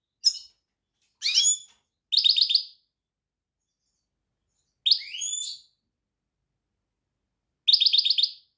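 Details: European goldfinch song of sharp chip notes, twittering phrases and short buzzy trills of evenly repeated notes, delivered in bursts with pauses between.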